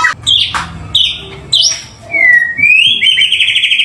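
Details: White-rumped shama singing, used to stir other birds to sing. Sharp, high chipping notes and bursts give way to a smooth, gliding whistle that rises into a quick, rattling trill, with a low hum beneath.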